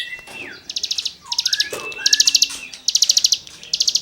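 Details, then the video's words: Cigun singing as tutoring material: soft slurred and whistled notes interspersed with repeated bursts of quick, high, rattling chirps. "CIGUNG GACOR FUL NEMBAK MATERI GESEKAN BURUNG KICAU"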